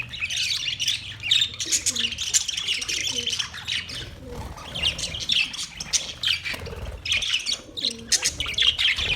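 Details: Parrots chirping: a dense, continuous chatter of high, sharp chirps and short squawks, overlapping and busy throughout, with low background rumble.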